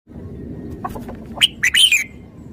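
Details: Red-whiskered bulbul giving a brief, bright warbled phrase of quick rising and falling whistled notes lasting about half a second, preceded by a few soft clicks over a low background hum.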